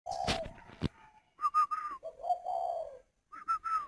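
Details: Caged spotted doves at a breeding farm in Ba Vì district, Hanoi, northern Vietnam: a sharp knock, then a short three-note coo phrase, a lower drawn-out coo, and another three-note coo after a pause.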